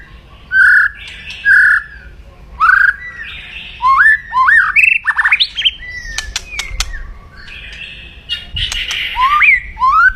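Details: White-rumped shama (murai batu) giving loud, aggressive kretekan crackling song meant to provoke rivals: slurred rising whistles near two kilohertz alternate with sharp dry clicks and crackles, in bursts separated by short pauses.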